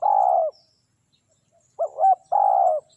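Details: Spotted dove calling during dove luring with a decoy, aimed at drawing wild doves down. A long buzzy coo ends, then after a pause two quick rising notes lead into another long, even, slightly falling coo.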